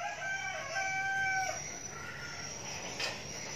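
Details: A young red junglefowl kept as a decoy bird crows once, a harmonic call of about a second and a half with a brief upward inflection, followed by quiet hum and a soft click.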